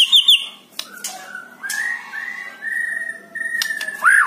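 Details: Song of a white-rumped shama, used to coax a reluctant bird into full song: high quick notes open, followed by long level whistled tones held one after another and a final upward slur.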